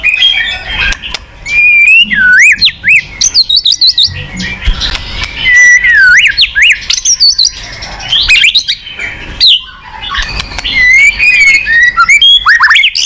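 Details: Long varied song of a white-rumped shama, a kept songbird, used to encourage a silent bird: high looping whistles, rapid rising and falling slurs, scratchy chatter and sharp clicks in a rich continuous flow.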